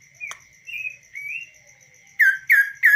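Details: Tame kaso-kaso bird singing freely on a hand. A brief click comes first, then soft wavering whistles and a burst of three loud down-slurred notes at the end, with a steady faint tone throughout.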